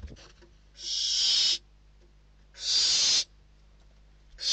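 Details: Begging barn owl nestlings in Spain struggling over a bird brought to the nest, 21/12/2023; loud, drawn-out hissing screeches, three bursts separated by quiet pauses.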